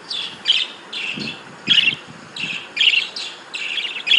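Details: Breeding budgerigars chirping: short, bright, scratchy chirps repeated roughly every half second, some notes louder and sharper, over a faint low background rumble.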